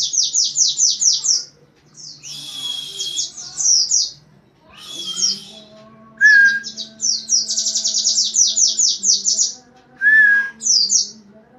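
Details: Oriental white-eye in 'nembak rapat' style, a fast-firing song: bursts of very high, rapid slurred notes in tight rows, broken by short pauses and a few lower clear whistles, over a faint low hum.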